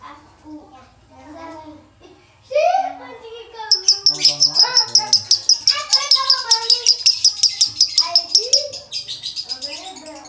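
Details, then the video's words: Male lovebird singing in the konslet style with a dry tone (nada kering). Varied chirps and squeaky notes lead into a fast, loud, high trill of rapidly repeated sharp notes, about three per second, that runs to the end. "Lovebird jantan konslet nada kering"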